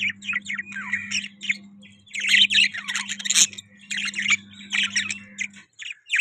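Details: Budgerigar warbling: tumbling chatter of squeaky, buzzy notes and brief squawks, loudest in the middle, over a steady low hum that stops near the end.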